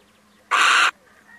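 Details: A single loud, hoarse screech, about four tenths of a second long, comes from a male little owl that has come by to visit. The background is quiet apart from a faint hum.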